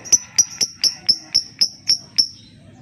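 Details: Lovebird ticking used as a lure to prompt silent lovebirds into song: nine crisp, high, ringing tick notes in steady rhythm over under three seconds.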